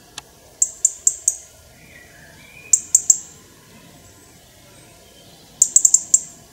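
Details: European robin singing in a Ukrainian forest: quick bursts of three to five very high, sharp ticking notes separated by pauses, with a few soft lower whistled notes in between.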